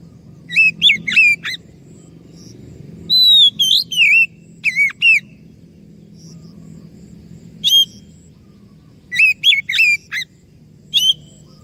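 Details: Oriental magpie-robin song played as a lure so other birds reply: short clusters of bright, varied whistled and warbled notes, some rising and some falling, delivered in bursts every one to three seconds over a faint low background hum.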